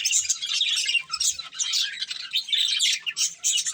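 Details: Pet budgies eating corn let out bright, scratchy chirps and squawks in close bursts, with a couple of faint low taps near the start.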